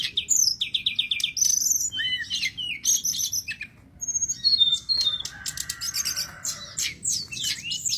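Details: Sulingan gunung in full gacor song, used as a master recording for teaching other birds: quick sequences of sharp high whistles, downslurred notes and chattering trills, with brief pauses between phrases.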